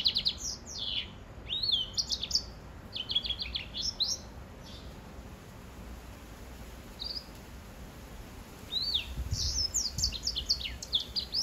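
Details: A hybrid finch, a white-rumped seedeater/Serinus mozambicus cross (grey singing finch mule), sings in bursts of high, quick, chirping and sliding notes with short pauses between phrases; faint background hiss throughout.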